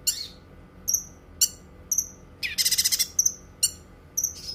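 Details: Cucak kinoi, recorded as master song for training birds and for therapy: spaced high whistled notes slurring downward, sharp chirps and one dense rattling burst of about seven pulses mid-phrase.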